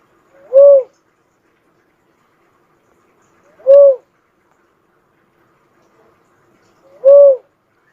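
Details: Three short, deep, hoot-like coos from a cuckoo-dove spaced about three seconds apart, each a brief rising-falling whistle with faint soft notes just before.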